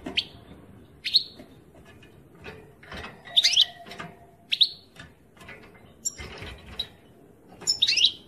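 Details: European goldfinch singing, with sharp bright chirps rising to high pitch, spaced about one second apart, mixed with softer scratchy notes and a faint low rumble beneath.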